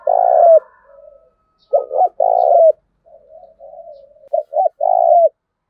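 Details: Spotted dove cooing to train decoy birds: a long burry coo, then a double note and another long coo. A run of soft wavering coos leads into quick stuttered notes and a final rolling coo.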